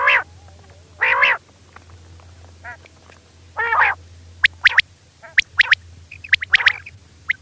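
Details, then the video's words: Female quail calling at night: loud, harsh, stacked calls in short bursts about once a second or so, with sharper chips and a low steady hum underneath. "batair ki awaz rain Quail sounds"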